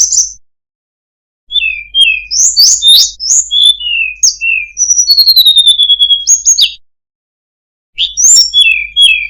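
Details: Tledekan gunung delivering a beautifully phrased song of high whistles and downward-slurred notes, including a long clear falling whistle, broken by short pauses.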